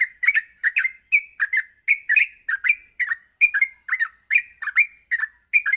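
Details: Morning yellow-vented bulbul song used as a tutor recording to help bulbuls learn fast continuous singing: steady stream of short chirpy slurred notes, about one note or pair every second, with no other sounds.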